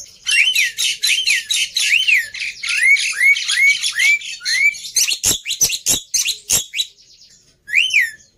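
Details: Lure recording of black-winged myna song for prompting birds to sing: a fast run of arched whistled notes mixed with scratchy chatter, then several sharp dry clicks, and a final whistled phrase after a short pause.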